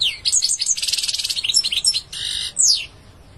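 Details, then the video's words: Goldfinch song: lively, high twittering phrases with fast trilled runs, a buzzy nasal note, and a sweeping downslurred whistle near the end. "goldfinch singing"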